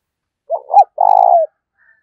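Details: Spotted dove giving a decoy call to provoke fighting: two short rounded coos followed by a longer, slightly purring coo, low and mellow, in an otherwise quiet setting.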